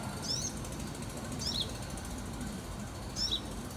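A young sunbird gives three thin, very high chirps, each a quick downward flick, spaced a second or more apart over a steady low rumble of background noise.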